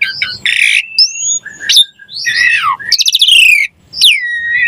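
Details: Javan pied starling song for training songbirds, a varied, busy stream of loud whistles, rising and falling slurs, buzzy harmonic notes and a bright descending whistle, with short gaps between phrases.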